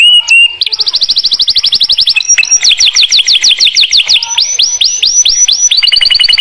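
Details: Canary singing in the morning, played as therapy to coax silent canaries into song: a string of fast high trills that switch from one repeated note to another, each tour a quick rolling series of sharp whistled upslurs.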